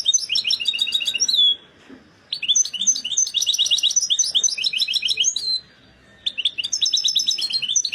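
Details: Excited European goldfinch singing at peak readiness: three bursts of rapid, bright twittering trills with buzzy notes, separated by short pauses near 1.5 and 5.5 seconds.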